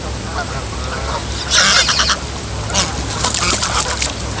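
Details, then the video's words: A young female goose gives harsh, noisy, rasping squawks in two bursts, a short one then a longer run, over a steady low hum. "Baby goose makes strange and horrible noises"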